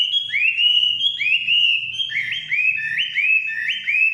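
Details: Chinese hwamei singing in the forest, a continuous run of bright whistles, each phrase dropping sharply then climbing, repeated roughly every third of a second, with a faint low hum beneath.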